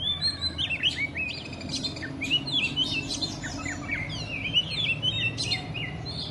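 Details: Oriental magpie-robin (kacer) singing in a style the owner calls 'telerrr konslet': a dense, rapid stream of varied high whistles, chirps and slurred notes, some rising and some falling. A low steady hum runs underneath.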